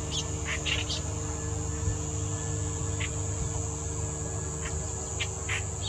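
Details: Clamorous reed warbler singing in Bengaluru during March 2021: scattered brief scratchy notes, a quick cluster at first, then isolated notes spaced a couple of seconds apart, with constant high-pitched insect buzzing and low background hum.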